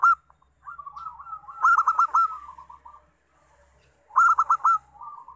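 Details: Local zebra dove song used to lure other doves into singing: soft rolling coos swell into loud clipped stuttered notes, the phrase repeated twice about two and a half seconds apart, faint low hum beneath.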